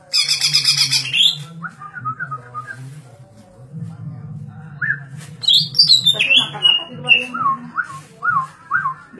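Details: Energetic 'darderdor' singing from a green leafbird: harsh high chattering, a pause, then sweeping descending whistles and evenly spaced upslurred notes, with a constant low droning hum underneath.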